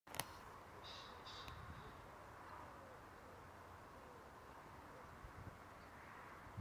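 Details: A common pheasant at Šinkov štradon, Ljubljansko barje, on 16 April 2023 gives two quick, harsh, hoarse notes close together early on, followed by a steady low rumble of background noise.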